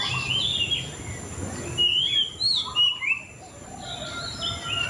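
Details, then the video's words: White-rumped shama delivering varied whistled phrases, some sharp upslurs and trills, louder bursts toward the middle, steady hiss and a thin high tone behind. "Suara Burung Murai Cacing 2023"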